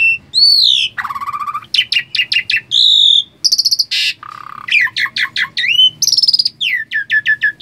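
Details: A talkative Asian pied starling, reluctant to bathe, chatters nonstop: loud whistles, harsh buzzy notes and rapid repeated clicks in a varied, restless jumble, with a faint low hum beneath.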